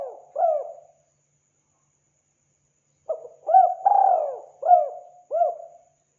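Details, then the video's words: Spotted dove calling actively, used for hunting: a last short coo, a pause of about two seconds, then a complete phrase of stuttered lead-in, long sliding coo and two brief rounded notes. "Suara burung tekukur gacor"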